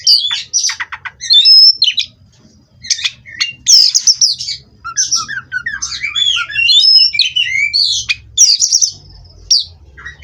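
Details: Oriental magpie-robin (kacer), a captive bird from a breeding farm, played as therapy to settle it on a perch: loud, varied song of rich whistles, rapid rising and falling slurs and harsh buzzy notes, with a faint low hum beneath.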